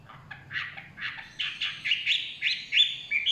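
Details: Chinese hwamei singing in the forest: a run of short, rich whistled notes, about three per second, climbing from mid to high pitch and growing louder toward the end, over a faint low hum.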